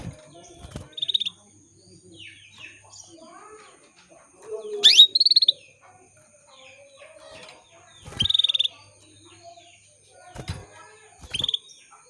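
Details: A female canary calls to males to make them sing sooner. Loud rising sweep notes come about every three seconds over faint background chirping, with occasional clicks.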